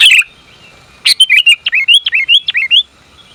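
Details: Female sooty-headed bulbul calling to a male. A brief opening chirp, a pause, then a rapid run of about ten bubbly, upward-hooking notes in quick succession. The background is clean and quiet.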